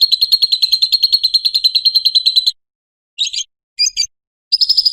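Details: Lovebird in ngekek style, used for luring and training other lovebirds: a fast, shrill, evenly pulsed trill lasting over two seconds, then silence broken by three short harsh chattering bursts.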